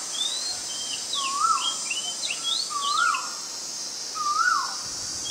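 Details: Oriental magpie-robin, a very common resident, recorded on 20 March 2022 in Ubon Ratchathani, Thailand: clear whistled phrases, rising then falling, about every one and a half seconds, with higher thin notes between and a steady insect drone.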